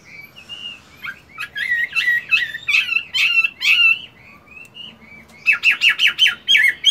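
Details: Caged Chinese hwamei, moulting, singing during morning voice practice: loud, varied whistled phrases with slurred rising and falling notes, bursts of rapid harsh chattery notes, and a run of quick repeated clear whistles near the end.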